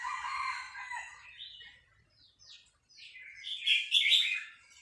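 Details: Vietnamese red-whiskered bulbul singing excitedly along to a played recording of newly hatched chicks; lower harmonic sounds open the clip, then bright, fast, warbled phrases rise and climax near the end.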